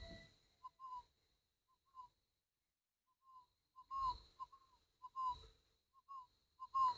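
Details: Spotted dove, a good-singing bird of the northern style, from a breeder: soft, hollow coos in short groups of two or three notes, repeated several times, with dull thumps and a faint steady high-pitched whine in the background.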